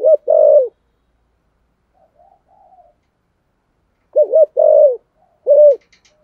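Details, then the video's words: Spotted dove cooing in the thổ sấm voice style, a thúc gù coo: two phrases, each a short hollow note and a longer drawn, slightly falling coo, separated by about four seconds with faint murmurs between. "cu gáy giọng thổ sấm thúc gù quá hay"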